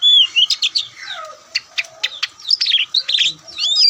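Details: Kacer, the Oriental magpie-robin with a white breast, a songbird in Indonesia noted for loud, varied song; here a bright whistle, a falling slur, then rapid chips and a harsh, buzzy rattle.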